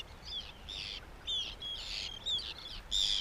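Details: Several Arctic terns call noisily overhead above a kayak in Siglufjörður fjord, Iceland, over their fishing grounds for small fish: harsh, grating high calls in quick overlapping bursts about twice a second, over faint wind or water noise.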